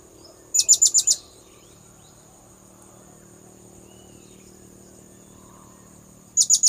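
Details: Blue-crowned hanging parrot calling to lure birds: a fast string of five thin, piercing notes, a long quiet gap, then the same burst starting again.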